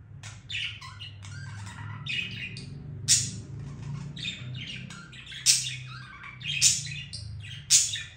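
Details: Budgerigar singing: a busy chattering warble of scratchy, buzzy notes and brief squawks, with sharper clicks roughly every second near the end over a steady low hum in the background.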